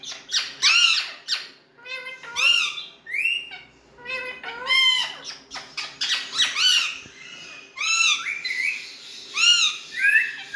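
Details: Talkative pet Indian parrots indoors: loud arched squawks with strong overtones, coming in uneven bursts roughly every second or two, some sharp and short, others drawn out and swooping.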